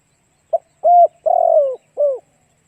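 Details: A spotted dove's decoy song, played to lure other doves: a single low phrase of a brief note, a steady coo, a long rough coo sliding down, and a short falling coo. No other sounds.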